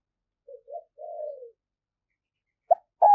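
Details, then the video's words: Spotted dove kept as a decoy, urging wild doves closer with its call: two short soft notes lead into a drawn-out, slowly falling coo, followed after a pause by a brief note and another loud coo beginning. "Tiếng chim cu gáy mồi thúc, gáy gọi bổi cực sung"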